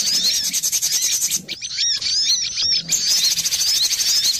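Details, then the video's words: Cinereous tit lure recording for trapping birds, busy and noisy: dense high thin whistled chirps and short rising-falling notes overlapping continuously, with a brief quieter gap of separate curved whistles in the middle. "Suara pikat burung gelatik batu ribut"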